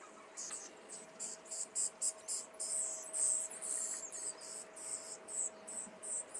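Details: Caged young common starlings, recorded in Liepāja, Latvia, in May 2024, utter repeated shrill, rasping bursts about twice per second, uneven in length, over a faint steady tone and urban background noise.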